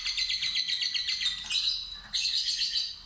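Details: Pet fighter lovebird giving a ngekek trill in a lure trial: a fast series of harsh chirping notes, a short break, then a renewed dense buzzy chatter.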